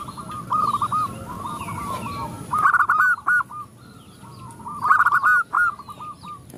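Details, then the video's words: Zebra doves, a female calling males and the others joining in: rapid rolling cooing phrases that repeat roughly every two seconds, over a constant low rumble and scattered faint chirps from other birds. "Perkutut betina memanggil jantan bikin semua perkutut ikut bunyi"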